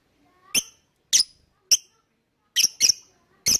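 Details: Shrill lovebird chips from a recording played so other birds join in: six short, metallic squeaks at uneven intervals, two of them close together, nothing else audible.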